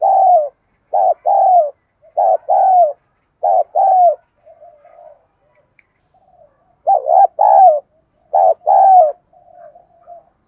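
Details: Spotted dove decoy calling to attract wild doves, 'đồng gù đấu thúc' style. A run of paired coos, a short note then a longer falling one, with quiet soft cooing between bursts.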